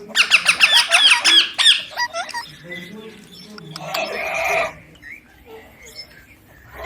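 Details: Pet baby Indian ringneck parakeet gives a quick burst of sharp, harsh squawks, then quieter scratchy calls with a low voice-like murmur underneath.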